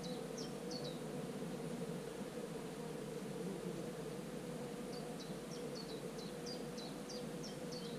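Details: A common cuckoo chick in a marsh warbler's nest on 24 June gives thin, high notes in quick series: a brief burst, then a longer run of about a dozen. A steady hum and buzzing sit underneath.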